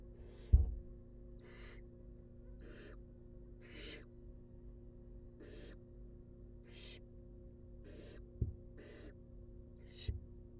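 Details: Wild barn owl chicks in a research nest box during feeding give about nine short, fainter hissing bursts, with loud thuds and bumps and a steady low hum.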